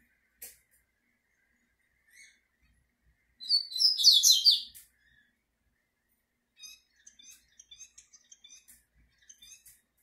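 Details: Double-collared seedeater singing while facing a female: a dense, high, scratchy warbled burst of about a second, followed by a scatter of quick thin chips and ticks repeated several times a second.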